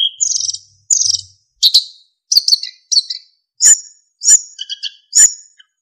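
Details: Lively narcissus flycatcher song used to train other songbirds, rich in fill-ins and flute-like notes. Brief high chirps and twittering phrases repeat roughly every half second, some with clear whistled tones, against a quiet background.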